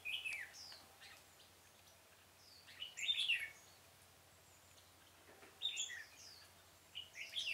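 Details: Caged red-whiskered bulbul used as a trapping decoy in a pomelo orchard, October 2017, sings bright slurred whistled phrases at the start, middle and end, separated by long gaps over faint steady background noise.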